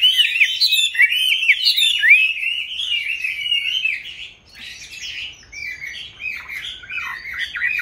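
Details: Chinese hwamei, caged and kept from wild-caught adulthood into a fifth year, delivers loud looping whistled phrases for four seconds. The song then continues more softly, with scattered, more distant-sounding warbles.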